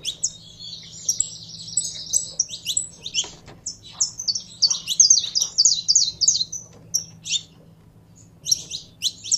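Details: Saffron finch under keeper handling to fire up its singing: a rapid, scratchy trilled stretch of dense chirps, then choppy high notes, a short pause and a final burst, low hum underneath.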